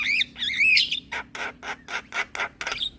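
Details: Asian pied starling sound used as morning tutor for young birds: a warbling whistled phrase followed by six evenly spaced harsh, rasping notes.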